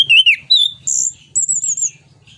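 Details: 'Ngeplong nembak' song of the orange-headed thrush, played to spur other birds into singing: a rapid sequence of bright, varied whistles, some wavering, some very high and sustained, with a low background hum.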